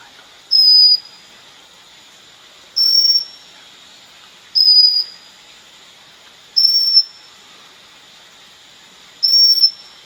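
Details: Pygmy cupwing, a tiny skulking bird in Peninsular Malaysia in July, giving a thin, very high whistled note about every two seconds, five times, over a steady hiss of insects.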